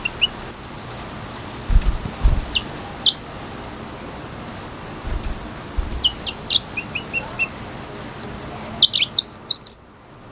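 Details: A red hooded siskin (cardenalito) sings scattered high, thin chirps, then a quick twittering run of bright notes near the end, with a few low thumps in between.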